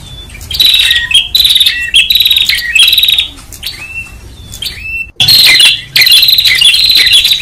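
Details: Noisy prinia calling, from a lure recording, loud bursts of harsh, rapidly trilled buzzy notes, each under a second, alternating with short clear slurred whistles; a brief quieter gap near the five-second mark before the buzzing resumes.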